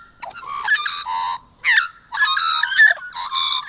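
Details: Singing Australian magpies, recorded across several months, give harsh, rich caroling bursts with layered whistled tones, separated by short silences; one quick rising swoop sits between longer phrases.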